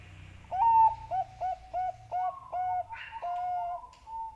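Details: Zebra dove (perkutut bangkok) call used as a lure to encourage doves to sing. A series of about eight short, mellow, even-pitched coos comes roughly every third of a second, slightly rising at the end.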